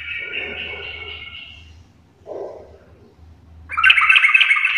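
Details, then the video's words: Sooty-headed bulbul singing in the full garuda style: a buzzy, rattling warble that fades after about two seconds, a short soft burst mid-clip, then a louder chattering phrase near the end over a faint low hum. "trucukan gacor full Garuda parah"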